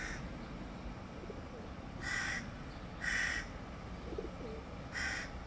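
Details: Young hooded crow begging from its father for food in July 2022, giving harsh nasal rasping calls, four in about five seconds at irregular spacing, over constant low rumbling background noise.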